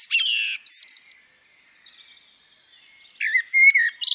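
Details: Female common blackbird: loud chirps at the start, a long near-silent stretch with faint twitter, then a renewed burst of whistled notes and high chirps.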